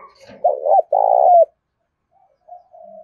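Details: Spotted dove kept as a tame decoy in Đồng Nai, Vietnam, calling loudly to lure wild doves: one phrase of two quick low hoots and a long, full coo, then soft trailing murmurs.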